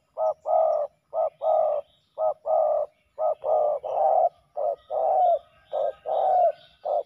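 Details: Spotted dove males clashing at a ground decoy: steady series of loud, rough, purring coos alternating clipped and drawn-out notes, about a beat apart, over a quiet background.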